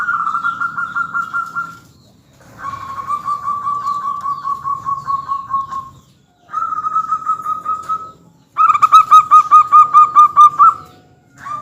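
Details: Local zebra dove, a vigorous singer used as a lure to set other birds calling: four cooing phrases, each a fast even train of pulsed notes that runs one to three seconds, separated by short pauses, over a faint low rumble.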